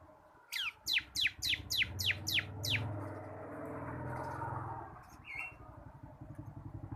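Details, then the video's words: Tutor song of a caged bar-winged prinia, local cotton-white crystal type, in rapid ngebren style: about nine quick falling whistled notes in a tight run, then a passing vehicle's engine rumble drowns the background. "BURUNG MASTERAN CIBLEK KRISTAL GACOR / CIBLEK LOKAL KAPAS SUARA NGEBREN"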